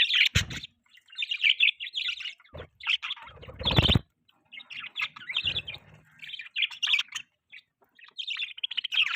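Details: Budgies chirping as they eat in the morning: runs of scratchy warbled notes and squeaks, interrupted by several loud thumps or wing flutters.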